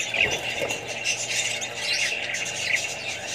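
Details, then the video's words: Australian budgies with other parrots and babies: a brief stretch of constant shrill twittering and squeaky calls from a crowd of birds, evenly loud throughout. "australian budgies parrots more birds & babys"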